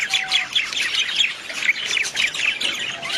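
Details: Budgerigars giving rapid, scratchy warbled chatter mixed with sharp squawky chirps, several voices overlapping without pause.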